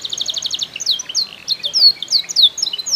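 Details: Canary owned by a keeper in Comal, Pemalang, Central Java, Indonesia, singing a fast, varied song: a quick run of repeated high notes, then sweeping whistled slurs and trills, loud and continuous.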